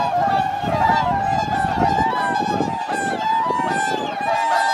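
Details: Wintering swans on the artificial Lake Hyoko in Niigata, Japan, 8 January 2022; massed honking chorus with steady overlapping trumpet notes and some low rumbling background noise.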